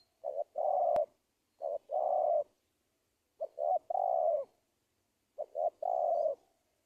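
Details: Lure call of a spotted dove for attracting wild doves: four low mellow phrases, a short double hoot followed by a sustained coo, spaced roughly every one and a half seconds, one sharp click early on.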